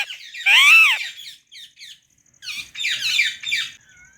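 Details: Calm pet white rose-ringed parakeet: a loud arched screech, then short clipped notes and a burst of raspy chattering squawks, ending in a faint whistle.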